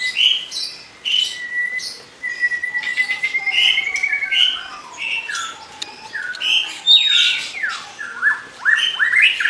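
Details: Lively white-rumped shama song made of sustained clear whistles, chip bursts and quick descending slurs, growing busier and louder toward the end.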